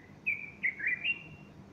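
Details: Bulbul morning song on 30 August 2015, a female perched alongside puffing her plumage; one brief phrase of four clear, slurred whistled notes dipping and rising, over a faint low rumble.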